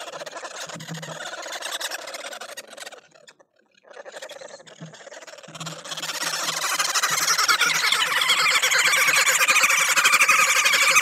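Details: A group of woodhoopoes at a bird feeder in South Africa gives harsh, rapid cackling calls, used for territory defence alongside bobbing displays. The calls are quieter at first, then swell after a brief pause into a loud, continuous chattering chorus.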